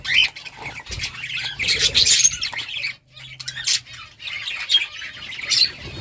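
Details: Budgerigars give loud, harsh squawks mixed with rapid twittering chatter in bursts, then a brief silent break before the busy chirping resumes.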